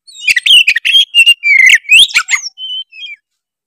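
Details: Tretes oriental magpie-robin in full song packed with imitated fills, a lure recording to rile rival birds; quick phrases of slurred whistles and chips, then two clear drawn-out whistles fading at the end.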